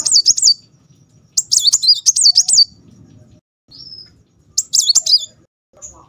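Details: Muncang sunbird in full tembakan roll song, wagging its tail: dense rolls of piercing, rapidly undulating whistles in three main bursts, separated by near silence and a short thin note.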